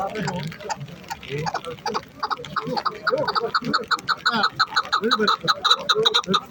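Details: Chukar partridge described as a hunting and fighting bird, giving loud repeated harmonic clucking notes at a fast, uneven pace, with laughter and voices mixed in.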